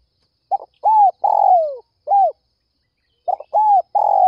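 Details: Spotted dove giving its early-morning lure call to draw other doves: one full phrase of stutter, arched coo, long descending buzzy coo and closing coo, then after a one-second pause the next phrase begins.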